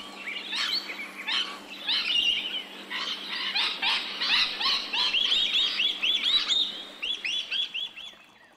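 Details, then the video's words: Rainbow lorikeet, Australia, recorded in ambisonic surround: dense chattering of short rising-falling squeaky notes, rapid and overlapping, ending in a run of evenly spaced chirps. "Rainbow Lorikeet | Australian birds | Ambisonic surround sound"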